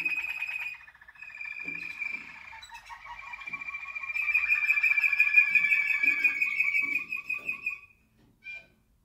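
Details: Waterslager canary song, 2019: long rolling trills and bubbling rattles held steadily for several seconds, rising into a louder sustained warble before a short closing note, with faint soft background clicks.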